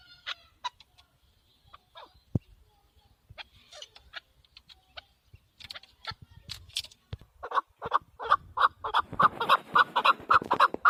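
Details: Male chukar partridge in a hunting recording: sparse clicks and soft isolated notes at first, then a rising burst of loud, repeated clucking chuk calls that grows denser toward the end.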